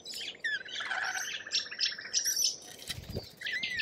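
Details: Lorikeets from Australian wildlife giving shrill squeals and sharp chirps in clusters, a grating chatter in the first second, and a dull thump near the three-second mark.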